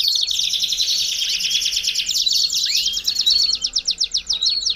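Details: Song of a Belgian canary, played to warm up canaries: a fast high trill that opens densely, then turns to a clearer, pulsing series of repeated notes with one rising slur, fading in bursts at the end.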